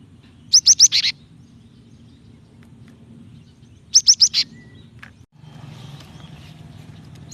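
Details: Female cinereous tit giving the call that lures a male into singing: two tight bursts of four sharp, high, clipped notes about three and a half seconds apart, then quiet with low background noise.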